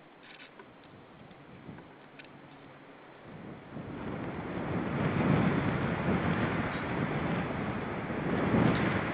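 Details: Rushing wind buffets the microphone and grows louder halfway through, with no animal calls.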